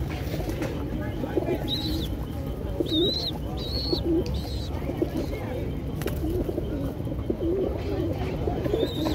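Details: Racing pigeons in South Africa, 2024, giving soft, low, rounded cooing notes in short repeated bursts, with thin high chirps from small birds and a steady low rumble behind.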